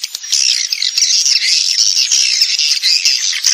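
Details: Swiftlet lure call played to attract swiftlets: a dense, continuous mass of high, buzzy chirps and twitters that overlap without pause for the whole stretch.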